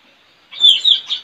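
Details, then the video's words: Short loud phrase from a caged Straw-headed bulbul trained as a decoy for wild birds, village front yard, April 2021: two bright whistled notes followed by a softer trailing chirp. "Adu gacor puling parit pikat"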